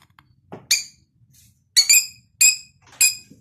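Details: A cockatiel, curious at its own face in a mirror, gives short, bright chirps with a harsh, harmonic edge, repeated about every half second.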